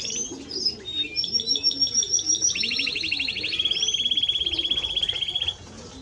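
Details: Timbrado Español canary delivering a long, even, rapid trill of repeated notes that runs for about three seconds after a few brief whistles, with low cooing behind it.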